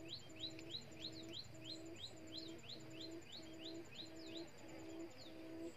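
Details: End-of-season trapping with a decoy quail luring wild quail. It gives quick upswept whistled notes, about one and a half per second. Low steady double tones repeat in the background, and a thin high buzz is also present.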